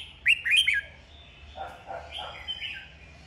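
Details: Red-whiskered bulbul in competitive singing, meant to rouse other bulbuls: a quick burst of bright, bubbly whistled notes, then softer lower warbles and a few more clear phrases.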